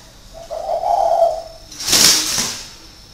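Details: Spotted dove, a caged decoy bird kept six years, Ba Vì, northern Vietnam; one soft hollow coo phrase lasting about a second, followed by a loud broadband rustle or clatter.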